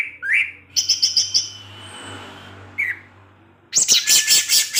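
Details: Orange-headed thrush in evening song meant to provoke other thrushes; short slurred whistles, a burst of rapid repeated high notes, then a dense scratchy twittering phrase, with a low steady hum beneath.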